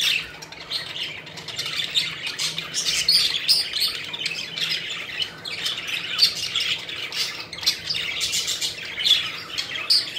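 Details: Several pet budgies playing and flying, dense nonstop chatter of chirps, squawks and short whistles from overlapping birds.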